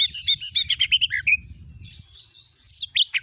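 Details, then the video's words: White-rumped shama song used as a lure to get a kept bird singing: a fast run of repeated bright chirping notes, then a slurred whistle, a thin wavering phrase and a final burst of sharp notes. "jadikan burung Kacer anda cepat gacor dengan pancingan burung Kacer ini"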